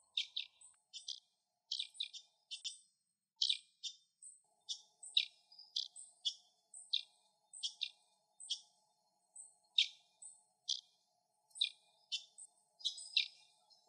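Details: Puerto Rican Tody (San Pedrito) adult at the nest, calling with food in its bill to coax fledglings out: short, harsh, buzzy chips about twice a second, some doubled, over a faint low steady hum.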